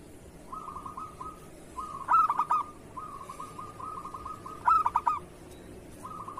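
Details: Local zebra dove, recorded as a teaching song for other doves: short runs of even purring trill alternate with two bright bursts of rapid cooing notes about two and a half seconds apart.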